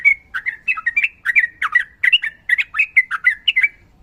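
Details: Sooty-headed bulbul, female calling male in fighting mood: dense, continuous chatter of short bubbly whistled notes, fast and unbroken through four seconds.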